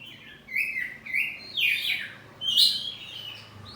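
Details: Kacer poci oriental magpie-robin kept at home, in loud ngeplong song exchange: four distinct phrases about every second, each a rich downward-sweeping warble.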